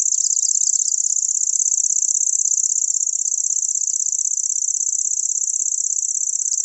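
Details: Unbroken, very high, mechanical reeling from a grasshopper warbler (Locustella), a rapid, steady ticking trill like an insect that holds evenly throughout.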